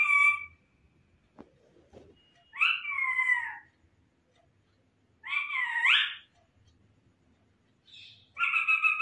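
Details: Talking pet parrot imitating a cat's meow indoors: three drawn-out, nasal, wavering meows, each about a second long, spaced a few seconds apart, with a faint click and quiet room noise between them.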